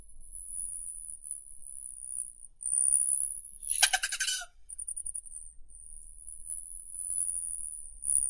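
Rufous hummingbird: a thin, steady, very high whine runs throughout, broken by a harsh buzzy burst and then a quick series of tiny high chips.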